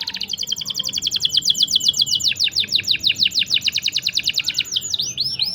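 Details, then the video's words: Canary song for tutoring young or stuck canaries: a very fast rattling series of sharp downslurred chirps over a steady whistled tone, ending in a few slower swooping notes. "CUIT CUIT NGEROL PANJANG. COCOK UNTUK MASTERAN MAUPUN PANCINGAN BURUNG KENARI MACET ATAUPUN PAUD"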